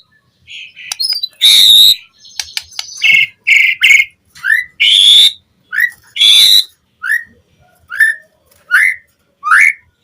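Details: White-rumped shama lure recording for captive birds: loud harsh rasping bursts mixed with short whistles, then a steady series of brief upslurred notes about every second.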